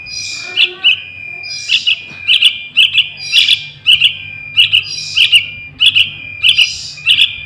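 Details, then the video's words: Trucukan chick giving insistent chirps, recorded as bait to attract wild birds; sharp high notes in quick pairs and triplets over a constant thin whistle, repeating steadily, faint low hum behind. "Suara Anak Burung Trucukan | Pancingan Pikatan Trucukan Liar"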